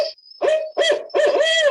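Barred owl giving three rich, resonant hoots in quick succession, each with a slight downward slur, over a faint high hiss.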